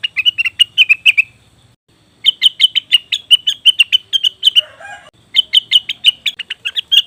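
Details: Lure recording of a cucak wilis or rengganis leafbird: three lively bursts of rapid, bright chirping notes with short gaps between them, and a brief lower chattering note near the middle.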